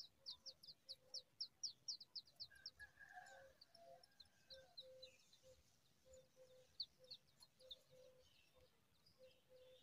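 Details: Brown rock chat young give rapid, high, thin begging chips, about four a second, as an adult brings brownish worms to feed them, against lower hooting notes and scattered chirps from other birds.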